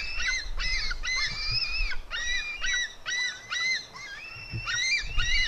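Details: Female white-tailed eagle eaglet fighting her brother: loud, piercing, strained squeals in a near-continuous string of short arched notes, some held and wavering, about two per second, with faint low rumble beneath.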